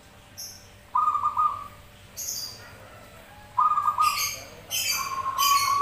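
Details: Zebra doves cooing back and forth: three separate trilled, buzzy mid-pitched coos, each under a second long, with loud hissing high-pitched bursts between and over them.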